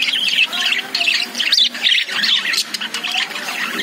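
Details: Caged lovebirds chattering: dense, harsh squawky chirps and chip notes overlapping in quick, irregular bursts, several calls per second, with brief pauses.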